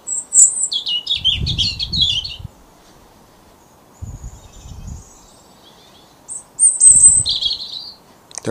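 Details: European robins singing under street and house lights in a late January dawn chorus, proclaiming breeding territory: high thin twittering and sliding phrases in short bursts, separated by pauses, with low rumbling handling noise throughout.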